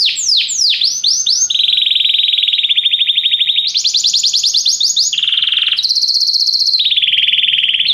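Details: Canary training song: rapid descending swept notes followed by a chain of rolling trills, each held a second or so at shifting pitches, some higher and buzzy, some lower.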